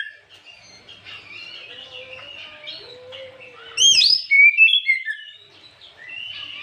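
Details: An Oriental magpie-robin sings in the afternoon as a lure to rile other magpie-robins. Soft warbling with a drawn-out lower whistle gives way to a loud burst of sharp, falling whistles.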